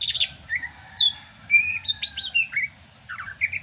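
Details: Greater green leafbird of Sumatra singing in rainy season, varied whistles, short slurred rising and falling notes with some harsh chirps, irregularly spaced.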